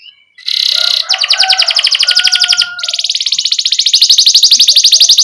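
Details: Canary singing as a tutor for young canaries: a short burst of high notes, then a long, loud, very rapid rolling trill changing pitch midway, with a faint lower whistle early on.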